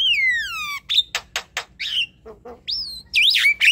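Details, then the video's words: Javan myna song used as a lure to prompt a quiet bird to sing at night: a long descending whistle, then loud harsh broadband bursts, low croaks, and rising whistled notes with chattery ends. "Untuk pancingan malam hari jalak kebo malas bunyi"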